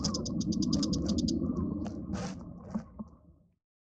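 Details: Bull-headed shrike giving a short burst of fast, high, ticking notes that breaks off after about a second and a half. A couple of softer calls follow, then knocks, with low hum fading out.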